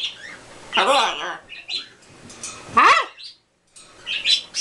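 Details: A pair of green-winged macaws and a baby talking together, giving harsh, voice-like bursts with wavering harmonics, mimicking greetings like "hi", "hello", "good boy" and "I love you", spaced a second or two apart.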